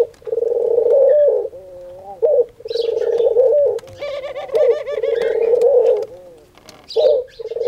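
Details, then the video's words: Singing dove (Khumra), locally heard as saying "Haq Allah Hoo" each day at prayer time, gives sustained purring coos with wavering notes between phrases, while other small birds twitter brightly in the background. "Khumra (singing dove) saying Haq Allah Hoo"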